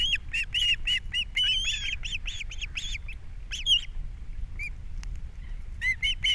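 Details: Osprey pair at a nest on Captiva, filmed by a nest camera on 3 April 2022 as the male brings a fish at breakfast and the female feeds the chicks. Bursts of shrill, whistled chirps come in quick runs, with a short pause midway.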